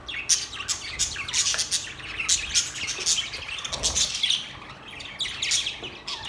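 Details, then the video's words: Budgerigars chirping and singing, a dense overlapping chatter of high, scratchy chirps and short squawks with continuous warbling from several birds. "Budgies bird talking video | birds chirping sound | Singing Budgies sound"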